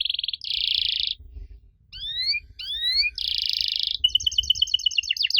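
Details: Canary lure song for young canaries: short buzzy trills, paired rising whistled slurs, a dense roll and a closing run of rapid bright repeated notes, with quiet low background hum.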